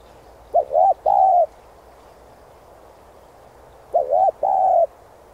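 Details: Spotted dove (Spilopelia chinensis) coos two phrases about three seconds apart, each a quick doubled hoot then a longer, drawn-out mellow coo, over a faint low hiss.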